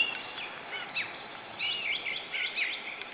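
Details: Male osprey arriving at its nest with a headless fish, giving a rapid series of short, high, whistled chirps that rise and fall, over a steady background hiss.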